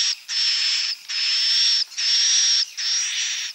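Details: Edible-nest swiftlet roosting call of the klepek-klepek style, used to attract swiftlets: four harsh, hissing bursts, each under a second and topped by a thin high steady whistle, separated by short gaps, with no other sounds.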